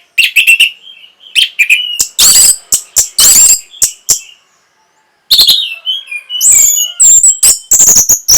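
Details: Orange-headed thrush singing to rouse breeding readiness and prompt birds to answer: quick chips and short whistles, harsh raspy bursts, a short pause, then high ringing whistled phrases with rapid sharp notes.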